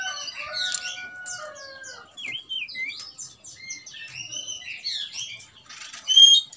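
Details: Oriental magpie-robin singing as a fighting provocation: a long level whistle under fluttering high notes, then looping warbled phrases and quick high chips, ending in a loud sharp burst.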